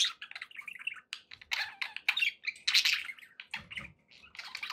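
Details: Several pet budgies chatter with quick chirps, scratchy squawks and short warbled phrases, bursts coming every second or so.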